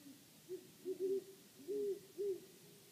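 Great horned owl giving a run of five deep, soft hoots over about three seconds, with short gaps. Faint background hiss.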